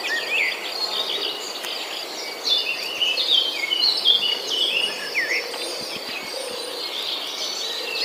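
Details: Nestlings left in their nest while the mother looks for food produce a chattering jumble of high squeaks and short slurred notes, loudest around the middle, with a persistent insect hum behind.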